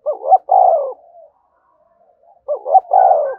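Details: Spotted dove cooing to prompt other doves to coo: two strong phrases, each a quick warbled note then a long rolling coo, separated by faint low murmuring.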